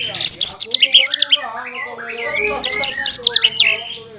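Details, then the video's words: Lure song of a green leafbird, meant to provoke rival birds into singing and said to mix in kingfisher, magpie-robin and shama notes; two dense bursts of sharp high chirps and trills around a quieter warbling middle. "PANCINGAN CUCAK IJO GACOR PALING AMPUH MENAIKAN EMOSI LAWAN AGAR BUNYI DAN GACOR"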